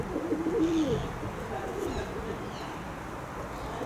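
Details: Kept pigeons give a low bubbling coo in the first second, then softer murmuring coos fade under a steady background hiss.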